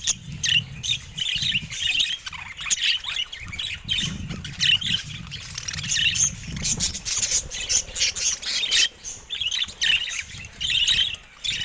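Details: Budgerigars in a cage keep up a dense, chattering warble of harsh squawks and twittering notes almost without a break, over a low rumbling background.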